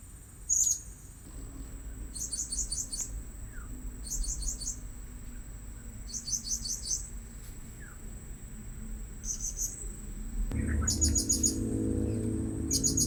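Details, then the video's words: Blue-crowned hanging parrot lured at a new spot: rapid bursts of three to five very high, sharp, tinny squeaks, repeated roughly every two seconds. Louder low rumbling noise comes in near the end. "Memikat Burung Serindit Di Port Yang Baru"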